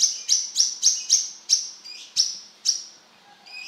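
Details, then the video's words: Brown-throated sunbird singing energetically: a rapid series of sharp, very high chirps, about four per second, each dropping quickly in pitch, the run slowing and fading toward the end. "Suara burung kolibri kelapa gacor beset"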